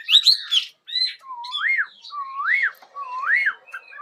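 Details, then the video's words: Morning bird song with a burst of warbling followed by three clear, repeated whistled notes that dip low and then swoop upward, spaced a little under a second apart. "Mời ae cùng nghe chim hót"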